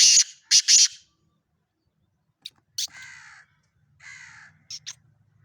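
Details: Black francolin in Sindh, Pakistan, giving loud, rasping, clipped notes, then after a pause short harsh buzzy calls with sharp ticks, recorded up close with faint low hum.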